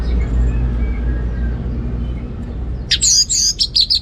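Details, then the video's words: Ngeplong gacor singing from an orange-headed thrush, a dense burst of high, fast twittering whistles in the last second after a low humming lead-in. "Anis Merah Ngeplong Gacor Dijamin Jos Burung Dirumah Yang Lagi Malas Bunyi"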